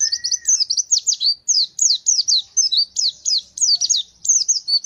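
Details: White-eye (pleci) of the gacor fighter type shooting its song. A dense run of sharp, high, slurred whistles repeats without pause, and one low whistle is heard at the start.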